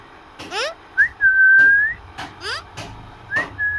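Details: Pet parrot talking with its owner: two long, steady, clear whistles, each with a short rising lead-in and an upturned end, between brief rising rasping, voice-like sounds.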